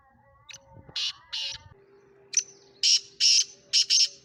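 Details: Speeder-type Sindhi black francolin, a bird being sold, repeats its loud rasping call twice; the second phrase runs tick, two long harsh notes, then a rapid closing pair, with a low steady tone underneath.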